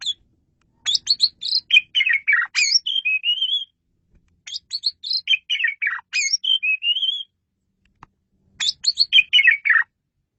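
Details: Clear, loud Asian pied starling song meant for luring birds: three long phrases of rapid chattering notes mixed with rising and falling whistles, each about three seconds, separated by short silences.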